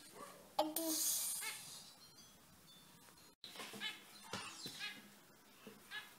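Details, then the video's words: Several lively, bright zebra finches squeaking: after a loud rustle, short nasal beeping calls come in quick irregular bursts, roughly four per second at their busiest, with a brief silent gap partway through. "Зебровые амадины !!! Zebra finches!"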